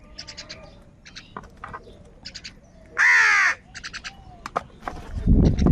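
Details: Crows contend for food in the morning. A loud, grating caw sounds at about the halfway point, surrounded by bursts of bright chirps from other birds, and a low rumbling noise comes in at the close.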